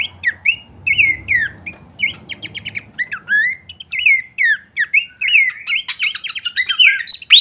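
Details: Horsfield's babbler song from masteran audio with full kleperan variation: spaced curling whistles and brief fast-ticking runs, growing busier and denser in the final seconds, with a low rumble early on.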